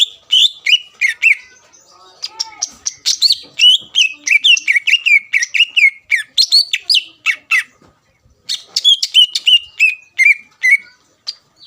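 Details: Greater green leafbird lure song used to make rival birds answer: long, varied run of chattering and falling whistled notes, fast and dense, with brief pauses and spaced whistles toward the end.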